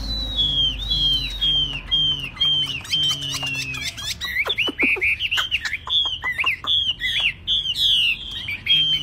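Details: Tame caged Chinese hwamei that sings wherever it is set down, even on a table or carried by hand. Loud clear whistles slur downward in repeated series, then a burst of sharp falling notes and quick varied phrases over a faint low hum.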